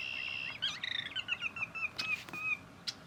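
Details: Sora rail calling at a local wetland conservation area marsh: a quick run of whistled notes slides gently downward over about two seconds, followed by a few sharp clicks.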